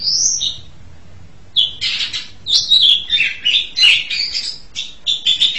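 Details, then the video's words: Asian pied starling song opening with a high whistled note, a silent second, then a fast jumble of harsh chatters, squeaks and slurred whistles repeated about three times a second. "JALAK SUREN"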